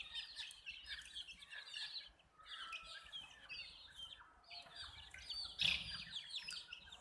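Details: Baby hens chirp together: bursts of shrill overlapping peeps separated by short pauses, with one sharp click-like knock near the end amid the chorus.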